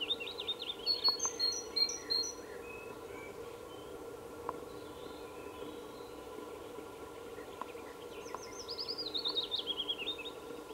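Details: Black woodpecker chick calling for food at Ås, Norway, on 25 May 2017: fast series of high, repeated notes in bursts at the start and end, separated by quiet, over a steady low hum.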